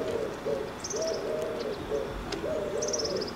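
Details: Eurasian collared dove cooing in repeated three-note phrases, the soft low 'coo' given three times per repetition, with faint high twittering from another bird in the background.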